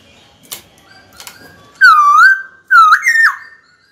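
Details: Captive white-cheeked laughingthrush singing to draw a rival into a fight: two faint clicks, then a long, loud, bowl-shaped whistle and a second whistle that breaks into a jumpy, stepped phrase.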